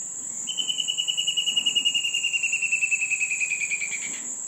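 Palmari antbird: a steady, even trill of clear notes lasting about three and a half seconds, gently falling in pitch, over a constant high insect whine.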